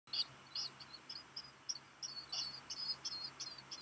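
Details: A black guillemot chick, hatched 29 June, begs as it hears a parent arrive with a rock gunnel, at Seal Island National Wildlife Refuge, Maine, USA, at midday on 13 July 2021. It gives thin, high, piping peeps, a rapid string of about a dozen short notes, some doubled, over a faint low hum.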